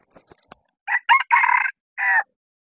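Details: A decoy red junglefowl cock, set out in hilltop bamboo forest to lure wild birds, gives a four-part crow: short note, upward-inflected note, long rasping middle and a separate clipped ending. Faint clicks come before it.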